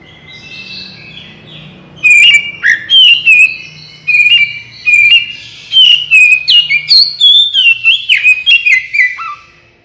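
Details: Oriental magpie-robin (kacer) in full song, used as a lure so birds respond quickly: after a soft start, a long series of loud, varied whistled phrases with sharp slurs, repeated in quick bursts for about eight seconds.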